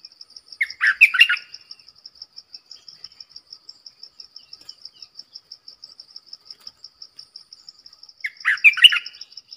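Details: Streak-eared bulbul used as a lure for wild birds and a tutor for young birds sings two short, tumbling bubbly phrases several seconds apart over steady, evenly pulsed insect chirping.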